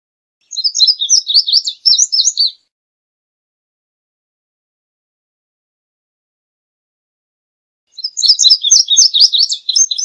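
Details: An indigo bunting gives two songs about six seconds apart, each a two-second run of sweet, high, paired chirps and slurs, fairly even in pace.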